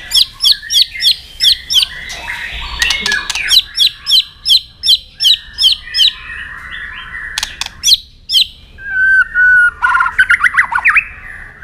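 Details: White-rumped shama giving its fighting song, used to stimulate and train other shamas. The song is a rapid run of bright, sharp descending whistled notes repeated about three per second, broken by dry clicks, then a long sliding whistle and fast twittering.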